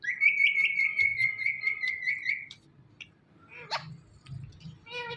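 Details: Indian ringneck parrot calling "Mithu", opening with a long, steady trilled whistle of about two seconds, then quieter scattered squawks and a final harmonic squawk over background noise.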